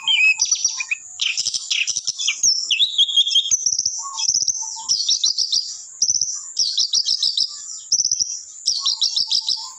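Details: Rich, continuous long-tailed shrike song, a dense medley of squeaky chirps, thin trills and rapid high twitters in short repeated bursts, with occasional lower whistled notes between phrases.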